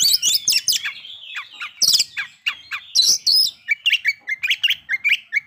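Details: Oriental magpie-robin (kacer) lure song to provoke breeding condition and emotion: harsh bursts and mixed whistles, then a run of short clear notes about three per second.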